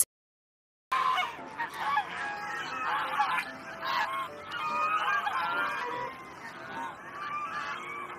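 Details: Geese on a farm alongside cows, goats, roosters, ducks and sheep, giving overlapping nasal honks that run almost continuously, several birds calling at once with a busy farmyard background.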